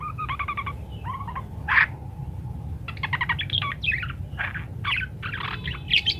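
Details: Talkative parakeet with varied song, played to teach munias: stuttering harmonic notes, sharp high chips and buzzy fragments in irregular clusters across six seconds over a faint low hum.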